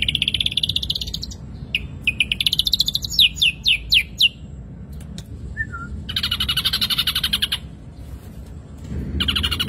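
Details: Ashy drongo in a lively singing bout: bright pulsed trills near the upper range, a run of sharp descending whistled notes, then dense buzzy rattling bursts broken by short pauses.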